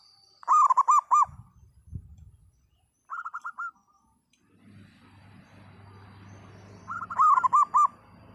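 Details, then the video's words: Local zebra dove in full, loud song. Bursts of quick, bubbling coo notes roll out in series, with a short softer trill in between. Low rumbling noise and a brief knock sit underneath. "perkutut lokal gacor suara lantang"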